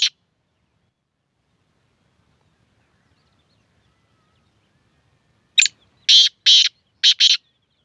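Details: Calling black francolin: after a long quiet stretch comes a rasping phrase of five clipped, buzzy notes packed into under two seconds, each note a loud broadband scrape.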